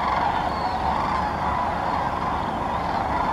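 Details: Many sandhill cranes gathering in large flocks at Muscatatuck National Wildlife Refuge, Indiana, call all at once: a steady rolling chorus of overlapping rattling, trumpeting notes with no gaps or single voices standing out.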